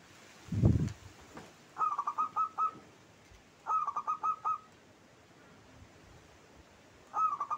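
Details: Local zebra dove cooing song, phrase rendered klauw ketek kuk kuk; short bursts of rapid stuttering coos repeated about every two to three seconds, with one low thump early on.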